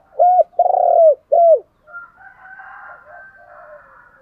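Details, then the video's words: Decoy spotted dove cooing to provoke wild doves into answering: three loud, arched, hollow coo notes, the middle one drawn out, followed by a quieter rough, wavering phrase with a higher overlaying tone. "chim cu mồi kích bổi, tiếng thúc gáy gọi kích thích bổi rất xiêng gáy theo"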